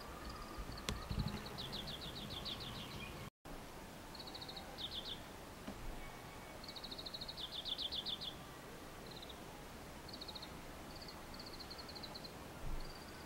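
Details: Male Oriental greenfinch twittering while side-stepping along an electric cable in Japan, early May 2014: faint, high, rapid buzzy trills and short twittering bursts repeated every few seconds, against steady low background noise.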